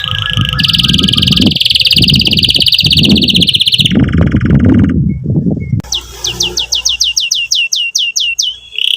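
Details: Canary song meant to stimulate young canaries and to revive those that stopped singing. Fast high trills sound over heavy low rumbling noise, then a quick run of clear down-slurred whistles follows in a quieter stretch.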